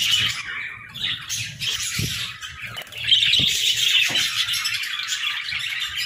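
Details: Budgies in an aviary chatter busily. Bright, buzzy warbling and squeaky chirps overlap without pause, growing louder after the midpoint. Soft low thumps are scattered underneath.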